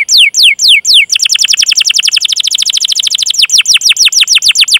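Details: Canary in long, persistent song serving as a singing lure for other canaries: four descending whistles, then a long rapid rolling trill of evenly repeated notes, slowing into separate downward sweeps.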